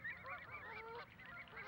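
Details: Several Canada geese, introduced from North America, in a London park where adults guard chicks in a communal crèche, honk in a quick, overlapping flurry of nasal, two-toned calls over a low background murmur.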